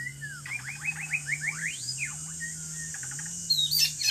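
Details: White-rumped shama in the middle of a forest, heard during a trapping outing: a rapid run of varied, sharply sweeping whistled notes, several per second, then softer chips, over a steady high insect drone and a low hum.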